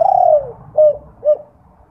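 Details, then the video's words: Spotted dove (derkuku) night lure, 'kuk 2' style, to draw calls from other doves; one long hollow coo that falls away, then two short soft coos. "Pancingan Derkuku Kuk 2 malam hari/di jamin langsung yg lain ikut bunyi"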